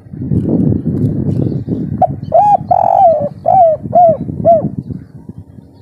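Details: Loud local spotted dove in full breeding condition in the kuk 3 style. Low rumbling noise gives way to a phrase of one short coo, a long drawn coo, then three falling coos about every half second.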